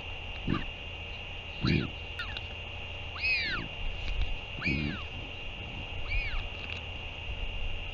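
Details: A returning northern royal albatross parent feeds its chick, dated 08 06 2023. Dull low thumps alternate with bowed, nasal whining calls, several in eight seconds, over a continuous electronic hum.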